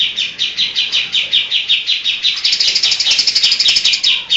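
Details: Greater green leafbird mimicking other birds in its song. Sharp, high chips repeat at a steady pace, then run into a denser, rapid twittering trill toward the end.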